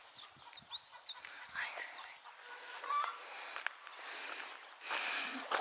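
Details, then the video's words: A bird sings scattered high, sweeping whistles and short chirps at an irregular pace, over a hissy background with a burst of broadband noise near the end. "ave cantando"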